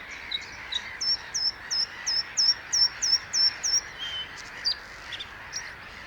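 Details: Bluethroat singing: a run of about nine clear, repeated high notes, each a sharp downward-sweeping whistle, spaced roughly three per second, followed by a few scattered buzzy and chirping notes.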